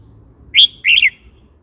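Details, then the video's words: Red-whiskered bulbul song phrase, used to provoke newly caught birds and old wild birds or to teach young birds: a clear whistled note followed by a short warbled burst, both high and sweet. "เสียงนกกรงหัวจุกร้อง 06"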